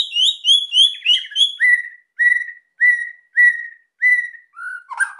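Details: White-rumped shama, song used to provoke quiet birds: a run of high clear whistles, then a steady series of repeated falling whistled notes about every half second, ending in a harsh note.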